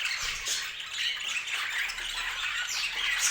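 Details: Colorful pet budgies chatter together, a slightly quieter tangle of rasping chirps and thin whistles, rising and falling in loudness over a few seconds.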